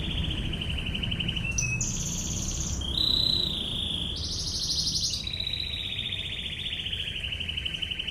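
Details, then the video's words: Canary delivering a varied song of rapid trills, alternating lower rolling tours with higher, thinner ones, against low background noise. "MASTERAN BURUNG KENARI//TEMBAKAN NGEBREN"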